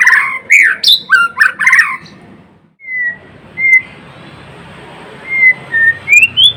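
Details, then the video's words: White-rumped shama, called murai batu or murai blorok, kept as a caged singing bird: a burst of loud, rich whistled and chattering phrases, a pause, then thin clear whistles rising and falling before quick repeated notes. "Kicauan MURAI BATU GACOR (Murai Blorok gacor)"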